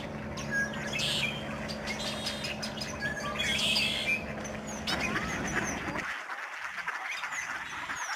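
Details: Huge flocks of snow geese flying over the George C. Reifel Migratory Bird Sanctuary in Delta, BC, Canada, on 24 March 2011. A dense, overlapping chorus of nasal honks, with a steady low hum, cuts off abruptly after six seconds into quieter background calls.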